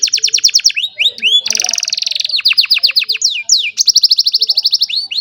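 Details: An old canary sings in the sunny morning: fast repeated notes, a dense buzzing roll, a series of falling whistles, then another quick trill ending in swooping slurs.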